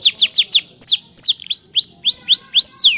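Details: Canary in full song, suited as a master song for other birds to learn: rapid series of high whistled notes sliding downward, repeated about four times a second, changing to longer sweeping slurs, then to rising-falling notes.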